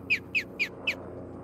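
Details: Four quick, sharp downslurred whistles from an osprey at a nest in Charlo, Montana, evenly spaced against faint low rumble.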